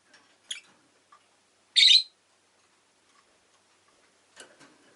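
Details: Pet rosy-faced lovebirds, including an orange-coloured bird, kept indoors in Japan with street noise from the town: one loud harsh shrill chirp stands out among a few short, softer clicks and peeps.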